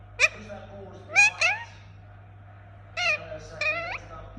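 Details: Pet Indian ringneck parakeet making short upward-sweeping squeaks and slurred chattering notes, in two bursts separated by a pause of over a second, with a low hum throughout.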